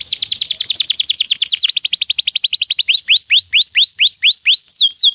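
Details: Belgian canary song meant to train canaries that don't sing: very rapid repeated downslurred notes forming fast trills, shifting to slower rising upslurred whistles repeated about five times a second.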